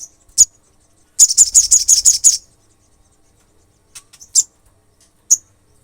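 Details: Olive-backed sunbird singing to provoke other sunbirds: an opening sharp chip, then a quick trill of about seven high, piercing notes, followed by a few scattered high chips.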